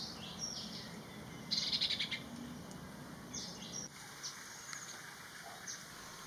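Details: A Common Iora in a garden mango tree in Thailand, after a rain shower, gives thin, high chirps and short whistled notes, with a quick cluster of rapid notes partway through, over a steady background hiss.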